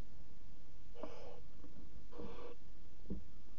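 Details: Barn owl chicks flapping their wings in a nest box at 22:00, 5 August 2017: two drawn-out, wheezy hisses about a second apart, then a soft knock.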